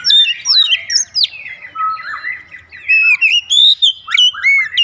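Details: Loud, continuous song of an oriental magpie-robin calling rhythmically: rich, varied whistles swooping high and low in quick succession, almost without pause for nearly five seconds.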